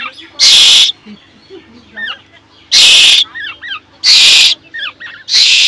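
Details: A hungry Asian koel chick, hand-reared in a pigeon cage, begs for food with four long, rasping screeches, separated by quiet chirps and a person's soft voice.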